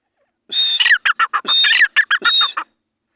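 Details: Grey francolin calling in the wild, roaming free in jungle during breeding season; a sharp whistled opening note followed by a rapid series of harsh, descending chattering syllables, repeated three times in a loud, clear phrase.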